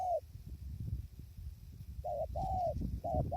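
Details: Spotted dove heard in decoy trapping on a windy day; a loud mellow coo, a pause filled with buffeting wind, then a run of short and drawn-out coos.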